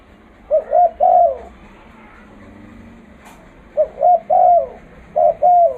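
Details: Spotted dove (terkukur) with a loud voice, used as a lure for bird trapping: two groups of soft, hollow cooing notes, each ending in a longer drawn-out coo, with a quiet pause between the groups.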